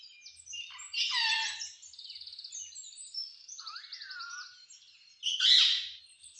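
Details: Talking green parrot gives a rasping voice-like phrase, then a run of fast buzzy rattles and a falling warble, ending in a sudden loud harsh squawk.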